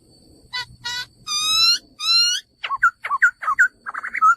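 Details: Male laughingthrush with harsh nasal notes and two long, ringing harmonic whistles, then a quick series of down-and-up slurred whistles, over faint low background hum.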